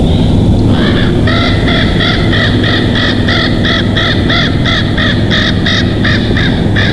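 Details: Bald eagle at a nest in Big Bear Valley, home of a mated pair, filmed by nest cam on 19 July 2023 at 21:19; a rapid series of high, arched, squeaky piping notes, roughly three per second, over a steady low hum.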